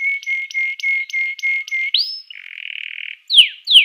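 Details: Canary song used to set off other canaries: steady whistled tone broken into pulses about three per second, an upward slur, a buzzy trill, then two sharp descending notes.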